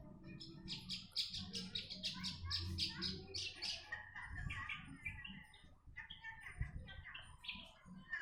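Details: Javan bush lark recorded in Jombang, East Java, Indonesia, singing as a training model for other birds; dense jumble of rapid chirps and varied scratchy notes, with low background rumble.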